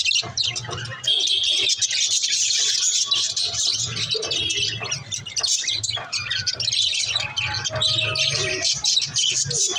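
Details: Little budgerigars chirping in a dense, continuous chatter of high twittering and warbling from several birds, steady and lively throughout, with a faint low rumble beneath.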